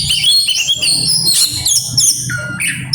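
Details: Oriental magpie-robin pouring out varied imitations: high whistled slurs and downward sweeps in quick succession, with a faint low hum behind.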